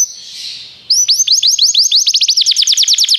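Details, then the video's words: Belgian canary song for training: a soft hiss, then a sudden run of sharp falling notes that speed up into a fast, even, ringing trill. "treinamento canário belga cantando"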